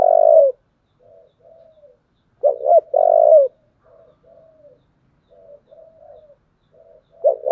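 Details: Spotted dove in 'giọng thổ' style fighting call, loud long coos and paired rising notes interspersed with many soft, low warbling murmurs between phrases.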